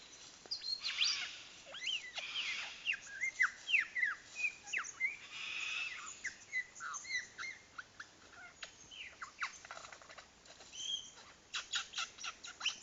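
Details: Courting lyrebird at Dandenong Ranges National Park mimicking blaster noises, a fast varied stream of zapping downward and upward sweeps, whistled slides and crisp clicks, several per second, over a faint steady background hiss.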